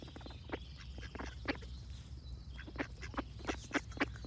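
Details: Duck quacking in short harsh bursts, sparse early on and then a sharper, louder series of clipped quacks near the end, over a constant low rumble and faint birds singing.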